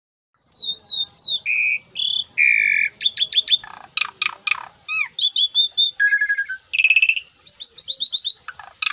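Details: Asian pied starling singing energetically in the full-isian style, with mimicked fill-ins: a fast, varied run of high downslurred whistles, buzzy notes, sharp vertical clicks and rising chirps, nearly continuous after half a second of silence.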